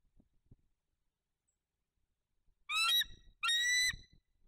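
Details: Incubating Bald eagle pair at their nest, early November 2022, with one egg: after a quiet spell, two shrill, strained, squealing notes in quick succession, followed by faint shuffling.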